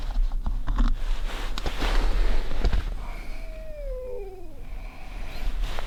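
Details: Barred owl (Strix varia) visiting a forest camp at night, temperature near 34–35°F, gives a few mellow hoots slurring downward at the end, after close rustling and handling noise.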